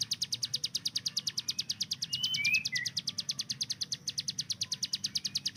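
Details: Rapid-fire 'tembakan' song of a tutor hill prinia: an even stream of sharp high ticking notes, with a few brief slurred whistles from another bird partway through.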